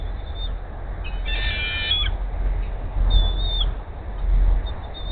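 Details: Female bald eagle at the Hays nest at 10:39 AM giving her food siren as the male flies in carrying a rat: thin, high, harmonic squealing notes in short bursts, over heavy low wind rumble.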